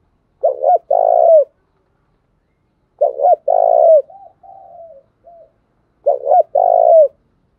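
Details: Spotted dove kept as a decoy, calling to draw wild doves into replying: three loud burry coo phrases about every three seconds, each a quick double note then a long coo, with softer low murmurs after the second.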